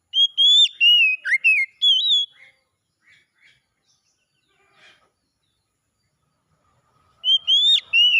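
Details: Oriental magpie-robin song for reviving a bird that has stopped singing: a rich phrase of sliding, clear whistles with a sharp downward note, faint soft chips in the pause, then another phrase starting.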